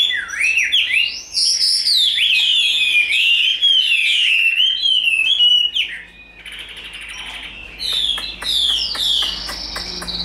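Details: Tame, big-bodied Chinese hwamei in fighting display sings looping melodious whistles climbing and falling, then softer rapid ticking notes after a short break.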